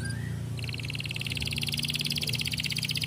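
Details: Canary song intended to encourage other canaries to sing: a short rising note, then a rapid, steady high trill with pulses repeated about three per second, over low background rumble.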